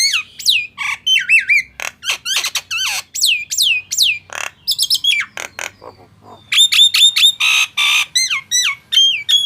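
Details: Varied Nias hill myna song mixing long falling whistles, curling two-part notes and rasping squawks in uneven bursts, a short quiet spell midway, then a steady series of clear ringing whistles.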